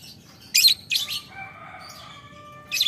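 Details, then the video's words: Lovebird calling a rival with ngetik ngekek: two short harsh rasping bursts, then a thin, steady whistled tone with overtones hanging for over a second before another scratchy burst begins. "Lovebird Memanggil Lawan Ngetik Ngekek - Tidak Lama Labet Auto Nyaut Ngetik Ngekek Panjang"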